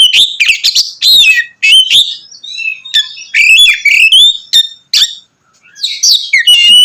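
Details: Loud, energetic 'ngeplong' singing from an Oriental magpie-robin, meant to rouse rival magpie-robins. Bright whistled notes, trills and quick slurred chirps pour out densely, then pause about half a second before resuming.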